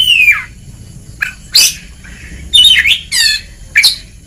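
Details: Oriental magpie-robin in a training recording for lazy singers: a descending whistle, then widely spaced harsh, buzzy squawks and short rough phrases.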